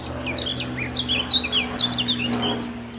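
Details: Territorial male blackcap in trees at RSPB Fowlmere, May 2014, singing between bouts of preening; a busy run of sweet, varied twittering notes that jump and slur quickly, with a few louder bright accents, and a faint low hum beneath.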